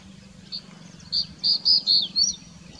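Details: In the Aravali hills of Rajasthan, India, a crested bunting sings one short phrase after a soft lead-in note: five loud, even, high notes in quick succession ending with a rising flick, over low hum.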